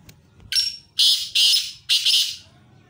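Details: Black francolin (tetar) calling, recorded on June 29, 2021: a harsh, scratchy series of four loud grating syllables, the last one drawn out and doubled, with a faint low rumble behind.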